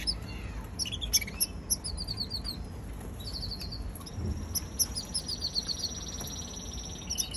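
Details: Young canary delivering runs of sharp, high chirps and short trilled sequences, pausing briefly midway, then resuming with a rapid repeated series over low background noise.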